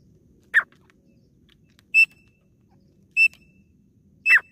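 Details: Female desi teetar, grey francolin, in a hunting lure call: short harsh notes alternating with clear whistled notes, four sounds spread across about four seconds over a faint hum.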